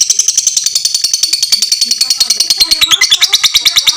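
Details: Fighter lovebird's long ngekek, a master song for all lovebirds: quick, shrill, buzzy chatter pulsing several times a second without pause, growing slightly rougher and lower toward the end.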